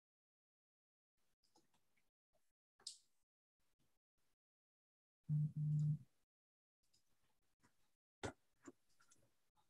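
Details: Near silence is broken by scattered faint clicks and taps and a brief low electrical hum halfway through, with no animal voice.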